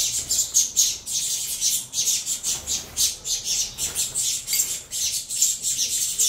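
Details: Saffron finch nestlings from a captive Venezuelan-line cross clamour as they are fed, giving rapid, rasping hiss-like squawks in quick overlapping bursts, several per second, with no other sounds.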